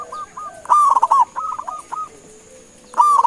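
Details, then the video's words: Zebra dove, Indonesian local perkutut, calling for other birds to answer: a loud bubbling coo phrase of stuttered notes, a quieter dove answering with level hoots, then another loud burst; steady high whine. "Suara Panggilan Perkutut LOKAL Gacor sekali dengar langsung NYAUTIN"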